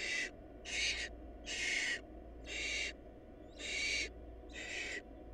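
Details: Barn owl nestlings short of food produce six loud, rasping hisses in a fairly even series, one about every second, each harsh and noisy, over a continuous low hum.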